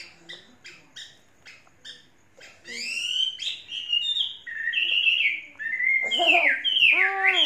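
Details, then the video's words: Chinese hwamei song from a tame, faultless bird kept three seasons: soft ticking notes first, then a surge of loud, clear whistles that slide and drop, ending in full-throated descending phrases. "Hoa mi hót cực hay"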